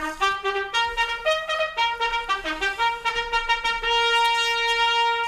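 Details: A trumpet plays a quick run of notes that ends on a long held tone, with no animal sounds.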